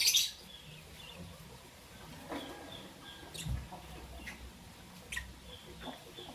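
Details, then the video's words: A loud, harsh chirp opens this stretch, followed by a few sparser, thinner chirps from Albino and Euwing Green Opaline lovebirds in the morning, against a quiet background hum. "Lovebird Chirping Sound"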